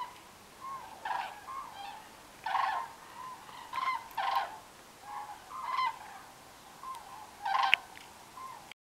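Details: Common cranes migrating south at night over the French Pyrenees near Aspet: loud, rolling trumpeted bugles around one pitch, several birds in flight overlapping in irregular bursts every second or two.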